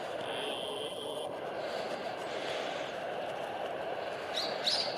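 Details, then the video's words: A Brown-eared Bulbul nearby along the Tone River, Gunma, Japan, in early 2024, gives a thin, steady high whistle, then sharp, loud rising squeals, over a constant low roar of traffic, with joggers' footsteps. "近くではヒヨドリが鳴いてますね。"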